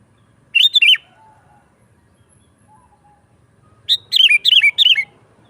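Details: Lively sooty-headed bulbul song, used as a lure for wild birds and as a tutor for caged ones: a brief two-note burble, a pause of about three seconds, then a faster run of four or five bubbly, downslurred notes.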